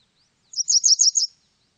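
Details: Japanese wagtail phrase of five or six high, sibilant chirps in rapid succession, each note slightly buzzy, delivered in about three-quarters of a second against silence.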